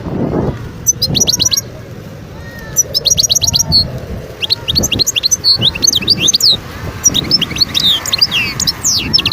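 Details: Song of a wild goldfinch recorded in Skikda, Algeria, 2022: crisp trilled phrases of evenly spaced notes, then a longer run of sweeping, liquid twitters and chirps, lasting most of the recording above faint low noise.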